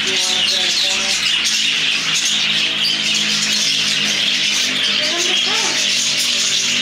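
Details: A dense chorus of parakeets in a zoo parakeet house: shrill, chattering chirps and squawks overlapping without pause, with human voices murmuring underneath.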